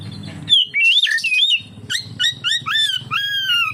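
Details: Oriental magpie-robin singing as a lure for other magpie-robins: looping whistled slurs followed by a series of short, evenly spaced downslurred whistles, with a low rumbling hum underneath.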